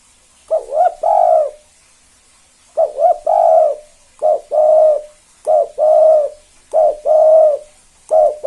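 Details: Spotted dove singing a vigorous KUK 2 style song, used to provoke other doves into calling: three deep cooing phrases, each two quick hooked notes then a long drawn coo, separated by pauses of about a second.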